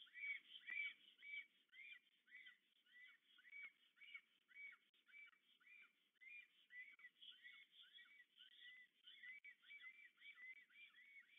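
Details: Evening courtship of a black stork pair at a Polish nest near Łódź, 8 April 2022, the birds reunited after spring arrival; soft, steady run of short arched whistled notes, roughly two per second, fairly faint throughout.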